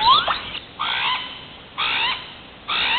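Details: Hawaiian crow giving loud, nasal, drawn-out caws with a raspy harmonic tone, each about half a second long and repeated roughly once a second, opening with a short rising squeal.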